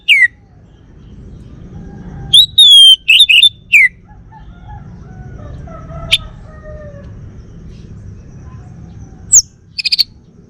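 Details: Kept male orange-headed thrush from Bali, North Bali, Singaraja, giving sparse loud phrases: a falling whistle, a clutch of slurred whistles and harsh notes, then long quiet before a few more sharp calls.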